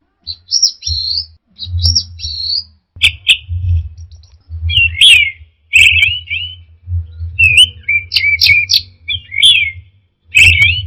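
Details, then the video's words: Teler-style song of the anis merah, or orange-headed thrush: short high twittering phrases and harsh buzzy bursts repeated every second or so, over a steady low humming background. "Suara Burung Anis Merah Teler"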